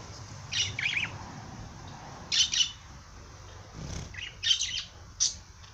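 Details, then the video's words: Parrot singing: short bursts of bright, scratchy chirps and warbles, each lasting under half a second, clustered in three groups with quiet gaps between them and a low background hum. "Popagai sing -song madár ének"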